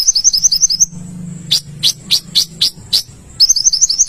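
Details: Olive-backed sunbird song: a brisk high trill, then six spaced sharp chips about every quarter second, then the trill again, over a soft low background hum.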